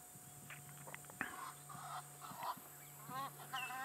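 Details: Egyptian geese flying overhead at sunset on an African safari, 3 December 2016, near a lioness and cubs, give a series of harsh, raspy honks, some rising and some stuttered, over a low steady hum and a faint voice.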